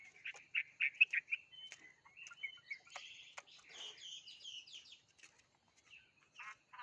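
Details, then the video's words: Songbird singing a quick, varied run of short chirps and twittering notes, some sharp and clipped, others trilled, with brief pauses between bursts; a fainter scratchy warble follows mid-phrase. "chim hót thế này thì đấm với đã cái gì"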